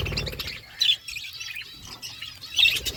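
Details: Budgerigars in a flock eating food, chattering with rapid high chirps and scratchy warbles, two sharper, louder notes standing out among the steady twittering.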